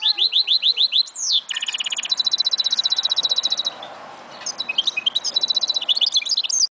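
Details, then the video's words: Singing goldfinch mule, 2011: a series of sharp downslurred whistles, then buzzy rattles and a long, rapid high trill, ending in lively twittering phrases. "Mule Goldfinch"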